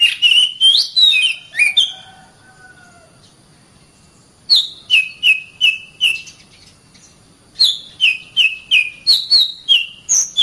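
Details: Oriental magpie-robin song for training caged birds: loud whistled phrases, a long pause, then two bouts of evenly spaced, repeated falling whistles about every half second.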